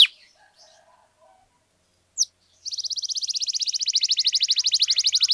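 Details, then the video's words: Canary singing a long, fast, even trill of dry buzzy notes, repeated about three times per second, that begins after a near-silent opening with one sharp chip. "KENARI GACOR PANJANG"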